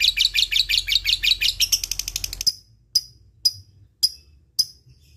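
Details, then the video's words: Lovebird chattering ngekek for about two and a half seconds of fast, harsh high pulses, then falling to single sharp ticks spaced roughly every half second; offered as bait for silent lovebirds. "LB ngetik ngekek GAcooor bagus untuk pancing lb malas bunyi"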